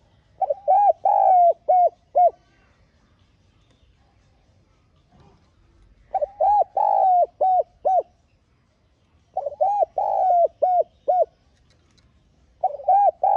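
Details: Spotted dove lure bird calling to attract wild doves: repeated phrases of low cooing, each a quick double note, a long coo and several short arched coos, with pauses of a few seconds between phrases.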